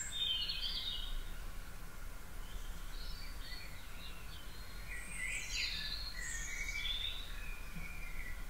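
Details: Garden birds singing at 4.30am on 9 April 2018, part of a spring dawn chorus: a lively song burst at the start, a quieter stretch, then another rich twittering outburst after five seconds, over a low rumble.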